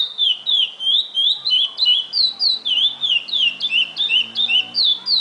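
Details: Chestnut-bellied seed finch (curió) singing the classic praia song style: a continuous run of clear whistled notes, each sliding up or down, repeated about three times per second in a fluid, unbroken phrase.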